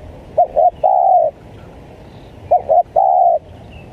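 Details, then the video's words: Spotted dove lure call for wild spotted doves: two matching phrases, each made of two short, arched coos and one sustained lower coo, roughly two seconds apart. "Pikat Tekukur,Menekan, Tekukur Liar"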